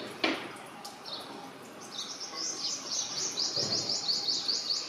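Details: A common myna (Acridotheres tristis) gives high, thin chirps that build into a quick, even run of notes toward the end, with a couple of dull knocks nearby.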